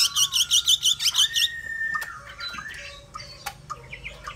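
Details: Hwamei song that opens with a burst of about eight loud, rapid, high whistled notes in quick succession, then trails into quieter scattered chirps and a low whistle.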